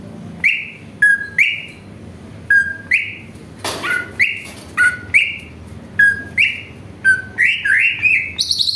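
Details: Greater green leafbird song used as a lure to provoke other birds into singing (jamtrok): crisp whistled notes that snap upward then hold, each paired with a sharp high click, repeated in a quick, uneven series over a faint low hum.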